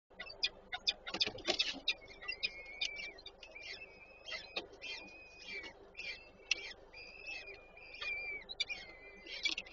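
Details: Peregrine falcons at a nest in Warszawa Żerań, Poland, on 8 May 2023, as the female feeds the chicks: thin, harsh, drawn-out calls with rough overtones, broken up by repeated sharp clicks and tapping.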